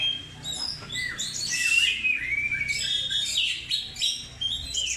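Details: Dense Oriental magpie-robin lure song: rapid chirps, loud ringing whistles and scratchy trills about three notes a second, forming a busy, unbroken medley.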